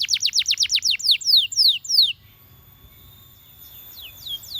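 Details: Song of a champion canary: a fast series of high downward-sweeping whistles that slows into longer slurred notes, then fades to near quiet with a few faint sweeps at the end.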